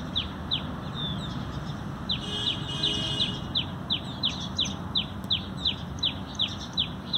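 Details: Sparrows calling while feeding at a conservation site, 19 November 2020: high, falling chirps in a steady run, briefly overlapped by a cluster of other chirps midway, over low background noise.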